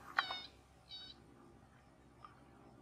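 A lesser yellowlegs gives two short, clear whistled notes. The first is louder and the second softer, less than a second apart, over a faint background hiss.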